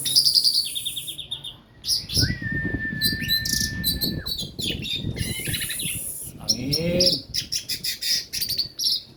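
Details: Orange-headed thrush following its moult, giving bursts of high rattling chirps, a long level whistle and slurred notes, in loud, uneven phrases over background rumble.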